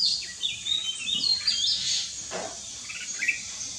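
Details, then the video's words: A jungle myna (Acridotheres fuscus) in Konkan gives a busy run of high, squeaky chirps and whistles, uneven in pace, over a steady hiss of insects or background noise. "Jungle Myna OR साळुंकी"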